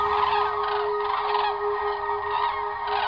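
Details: Autumn 2021 crane migration over Euskirchen, Germany: a flock of common cranes flies southwest overhead toward southern European wintering grounds with a continuous jumble of rolling, trumpeting calls; a steady low hum runs underneath.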